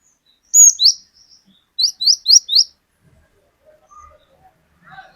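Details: Cinereous tit in full song, an untrained bird used as a lure to trigger other birds, singing long 'wucit wucit' phrases. A loud two-note whistle, then four evenly spaced high rising whistles, with faint chirps after.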